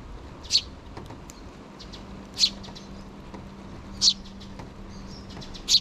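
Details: Sparrow nestlings, two chicks with their mother nearby, begging parents for food before leaving the nest, 6 June 2023: four sharp, high single chirps roughly every one and a half seconds, with faint softer peeps between and a steady low hum.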